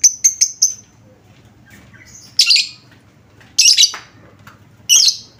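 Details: Pancingan, a lure sound for lovebirds: a quick ticking run blending into a thin whistle, followed by three loud grating, screechy bursts spaced about a second apart, with faint background hum.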